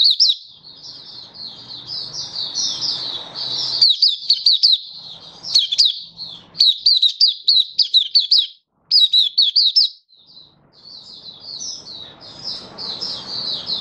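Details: Malaysian white-eye singing happily in Singapore on a warm, sunny, stable-weather day, 20 March 2023; long, dense, high-pitched twittering warble broken by short silences and clusters of crisp, rapid chirps, light background hiss.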